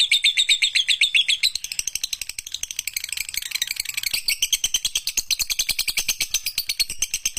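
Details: Masteran recording of lovebird chatter: opens with a run of quick whistled squeaks, then a very fast, even stream of dry, high ticking chirps about four per second.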